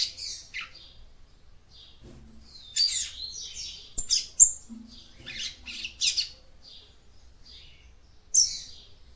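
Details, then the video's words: Song of a female Yellow-bellied Seedeater meant to excite the male: scattered sharp, high chirps and brief buzzy notes in irregular groups, with silences between and a soft low tone in the background. "CANTO DE FÊMEA PAPA CAPIM PARA ESQUENTAR SEU MACHO"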